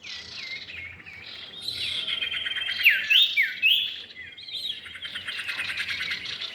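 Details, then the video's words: Male and female common iora heard together for luring birds: busy layered chirping with quick downward-sliding whistles and looping notes, several bright upslurred notes in the middle, rapid almost continuous rhythm. "pikat burung cipow jantan dan betina"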